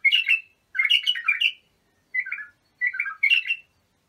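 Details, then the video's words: Bulbul song meant for teaching young birds: a loud rich chattering phrase, a longer bubbling run, then after a gap two softer falling warbles and a brighter flourish. "تغريد بلابل ابو شعيب لتخريج البلابل"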